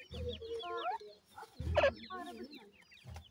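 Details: Grey francolin with chicks, a parent among its young: thin downslurred peeps from the chicks repeat quickly over low, harmonic clucking notes, with a louder burst near the middle.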